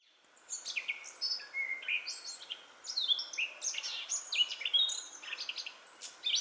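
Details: Singing Eurasian blackcap in Metbroekbos woodland near Smeerling, Westerwolde, Netherlands, early April 2017: a continuous, rapid warbling stream of varied, scratchy and clear notes, heard at some distance over a steady background hiss.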